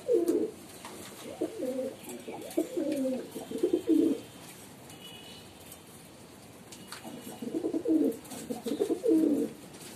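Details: Low rolling coos from a female pigeon: a long run of throaty, warbling notes for about four seconds, several seconds of quiet, then a second cooing phrase.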